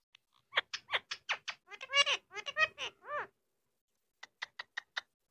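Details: Pet Indian ringneck parakeet talking indoors: a rapid string of about a dozen harsh, speech-like syllables with arched tonal bands over three seconds, a pause, then five short sharp clicks.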